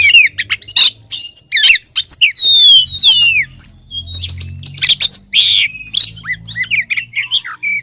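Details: Female oriental magpie-robin calling for the male, played as a lure: dense run of sharp chirps, falling whistled slurs and harsh squawky bursts, steady and close, with a faint low hum underneath.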